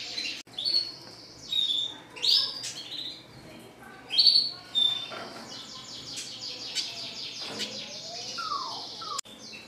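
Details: Red siskin song, classic style: bright whistled phrases separated by pauses, some sliding downward, mixed with rapid buzzy trills and a couple of soft lower slurred notes near the end.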